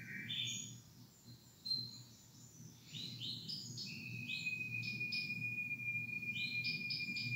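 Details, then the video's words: Two canaries singing together: varied bright chirps and quick trilled phrases open the song, then a long sustained high whistled trill holds steady for several seconds beneath further chirpy notes, with a low indoor hum underneath. "Canary Bird Full Mode On world best Singing"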